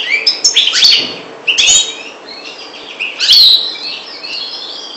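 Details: Parva goldfinch from the Maghreb giving short bursts of twittering song separated by softer pauses: bright chirps, a liquid trill and slurred high notes, with light knocking and rustling in between.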